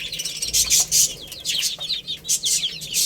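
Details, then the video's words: Baby chicks at play and feeding, loud piercing peeps in quick succession, several birds calling at once over crisp pecking taps. "Cute Little Chicks Chirping Sounds| Baby Chicken Playing and Eating"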